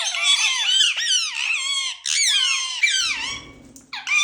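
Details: Indian ringneck parrots kept as pets, heard inside a room: bursts of high, squealing, downward-sweeping notes strung together quickly, a brief break near three seconds with faint low murmuring, then the shrill squeaks resume.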